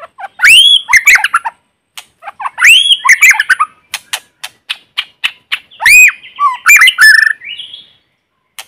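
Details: White-rumped shama used as a decoy, singing in forest: loud arching whistles repeated several times among rapid chips and clicks, ending in a buzzy rising trill, with no noise around.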